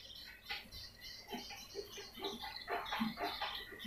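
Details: Swiftlet lure call: bursts of high, buzzy chirps and short squeaks, growing denser toward the end, accompanied by quick soft pulses about three or four per second.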